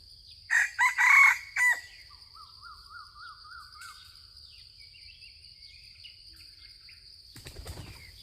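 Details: Junglefowl with yellowish plumage, lured by a decoy, crowing once in a loud harsh burst of several segments, followed by a faint thin wavering sound and a brief rustle near the end.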